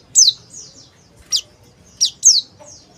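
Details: A male Oriental white-eye (pleci) utters quick high downslurred chirps, four loud ones in three seconds, mixed with fainter thin whistled notes.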